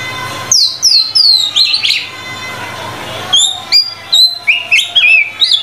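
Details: White-rumped shama singing hard: a sequence of three descending whistled slurs, a brief pause, then quick bright notes and warbled phrases delivered in rapid bursts about three per second.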